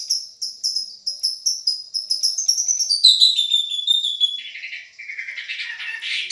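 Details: Long-tailed shrike (cendet) of Madura type, a champion-voiced tutoring song: rapid high chattering notes repeated about three per second, then a descending series of whistled slurs ending in a buzzier, lower burst.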